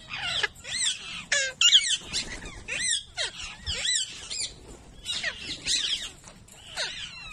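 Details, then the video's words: Mating Alexandrine (Nepalese) parakeets trade harsh, screechy squawks and rapid chattering notes, overlapping almost without pause in a loud, busy exchange. "تزاوج الببغاء النيبالي"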